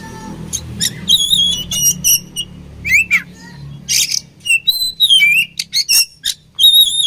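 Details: Indonesian oriental magpie-robin in a fighting bout, giving varied high wavering whistles, downward-swooping notes and short harsh rasps in quick succession against a noisy low rumbling background.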